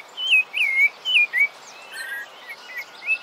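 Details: Rufous-bellied thrush (Turdus rufiventris), song: short, clear whistled phrases slurring up and down, about one every half second, over a faint steady background hiss.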